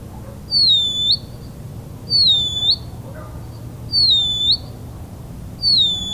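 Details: Band-winged nightjar singing: four high, thin whistled notes, each sliding down, holding level, then flicking sharply upward at the end, repeated about every 1.7 seconds over a low steady background hum.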